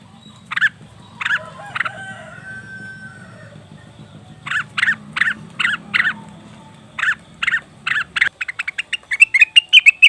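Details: Leafbird, cucak wilis or rengganis, as a lure to draw wild birds: separated rough, buzzy notes with a low hum behind, ending in a fast, high-pitched chattering series.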